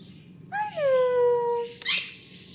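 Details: Cockatiel kept as a pet sings a single long, pure whistle that drops at the start and then holds steady. It ends in a brief hissy burst.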